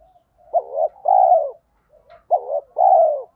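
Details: Spotted dove used as a decoy, its 'thổ pha' voice and rapid 'thúc gù' cooing meant to make wild birds coo back. Two evenly spaced phrases, each a quick wavering note followed by a longer, steady, mellow coo.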